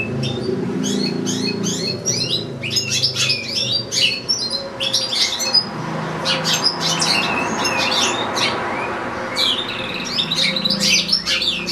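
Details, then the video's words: Caged European goldfinch kept with another goldfinch and two young goldfinch-canary hybrids, one goldfinch singing a long unbroken recital: dense bursts of bright twittering and buzzy trills, rapid chirps tumbling over each other, with a low indoor hum beneath. "ΚΕΛΑΗΔΉΜΑΤΑ ΑΠΌ καρδερίνες"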